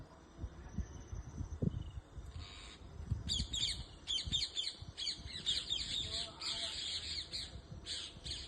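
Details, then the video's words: After a quiet start, parrots in a moringa tree in a backyard break into a dense run of shrill, scratchy squawks, rapidly repeated and overlapping, above faint low rumble. "Parrots in my backyard"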